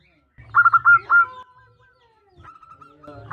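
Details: A local female zebra dove calls the male with a quick run of bright staccato coos ending in a longer sustained note, then fainter trailing notes, over low background rumble.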